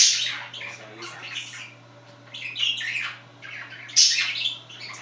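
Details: Pet budgerigars chattering indoors while one scratches itself at its favourite spot; dense, scratchy warbling and chirps in quick irregular bursts, with a sharp squawk near the end and a steady low hum behind.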